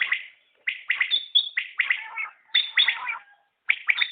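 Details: Common quail (batair) giving rapid runs of clipped, high triple notes, phrases following each other closely, with a thin high whistle laid over some of them; no other noise.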